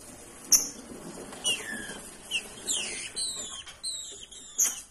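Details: Female green-winged saltator in breeding condition, calling to stimulate males as the season arrives: a series of high, slurred, downward-sliding whistled notes, some doubled, repeated at irregular intervals of about one second, with a faint background hiss.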